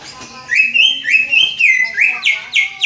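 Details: Learning Greater green leafbird copying the "Om Telolet Om" bus-horn jingle: after a quiet start come bright whistled notes that rise, hold level, and step down, repeated in a quick, horn-like sequence.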